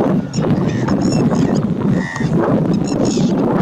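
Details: Lesser flamingos gathered for a courtship dance, a dense flock giving a constant low honking murmur with scattered nasal, harmonic honks rising above it and no pauses.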